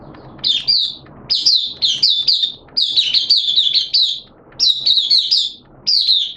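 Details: Oriental white-eye kept for the bird hobby, heard 11 September 2022 in wet, erratic weather. After low background rumble, sharp high twittering phrases come in clusters roughly every second, each a rapid, slurred warble.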